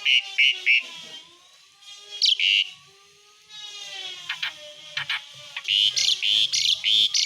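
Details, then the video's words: Asian pied starling in lively gacor form, singing the harsh besetan style: bursts of buzzy, raspy notes in quick groups, separated by a short pause and a softer drawn-out stretch. "ISIAN BESETAN JALAK SUREN GACOR"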